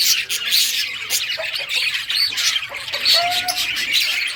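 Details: Playing budgies, several together, recorded June 17, 2023, keep up busy high-pitched chatter of scratchy squawks and chirps, broken by a couple of short, clearer whistled notes.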